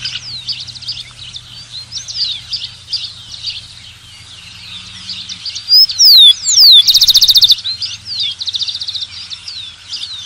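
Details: Rufous-collared sparrow song: after several seconds of a busy background chorus of other small birds, two or three clear, loud whistles slur down and up, then a fast, bright trill of evenly spaced notes.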